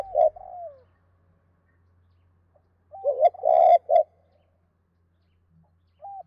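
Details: Spotted dove cooing to a hen in the two-beat style. A trailing falling note is followed by a pause, then a full phrase of husky, mid-pitched coos. A faint low hum runs underneath.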